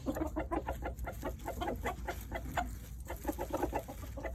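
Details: Rooster given treats, making rapid, repeated clucking sounds in an unbroken run, with a steady low hum underneath.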